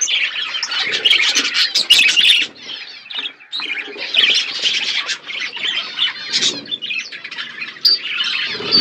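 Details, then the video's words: Budgerigars eating seeds in a natural outdoor aviary: bursts of high warbling chatter and squawks from several birds, separated by short quieter pauses around three seconds in. "My beautiful budgies eating seeds in my natural outdoor aviary"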